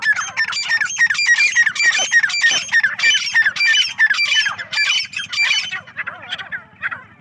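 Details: Partridges on a farm give loud, ringing, repeated calls, quick rising notes coming nearly twice a second, fading toward the end, over a soft low hum.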